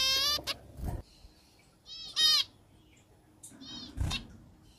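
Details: Zebra finch singing; brief nasal, trumpet-like honks in small clusters separated by pauses, with occasional soft thumps and clicks in between.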